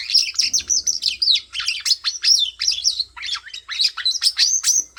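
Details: Continuous lively bird chirping, a steady stream of high whistled notes that sweep up and down, with almost no pauses over five seconds.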